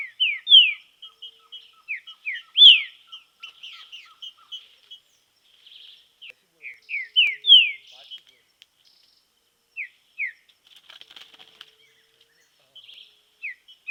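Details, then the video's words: Green-winged saltator in training in the wild: repeated phrases of quick downward-slurred whistles ending in a louder sweep, separated by soft chirps, with a steady row of faint ticks early on and quieter phrases later. "TRINCA FERRO TREINAMENTO NA NATUREZA"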